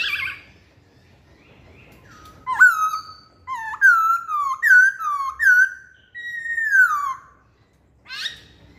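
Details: Masked laughingthrush, known locally as poksay hongkong, giving lure song: a series of about six loud swooping whistles with sharp upward flicks, ending in a long falling note.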